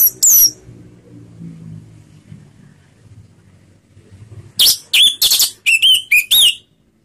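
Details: Orange-headed thrush (anis merah) in slow ngeplong song: one sharp high note opens, silence follows with faint background hum, then a rapid run of about eight loud whistled and chirpy notes at varying pitch.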